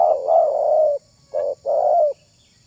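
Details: Spotted dove calling, a voice valued for luring other doves: one long drawn-out mellow coo slightly falling at the end, a pause, then a short note and a second long coo, low and hollow.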